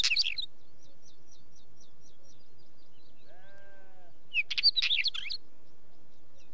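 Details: Wheatear opens and later repeats brief bursts of scratchy, crackling notes laced with whistles. Distant birds chirp in a steady series, and a short bleat of a sheep sounds in the middle.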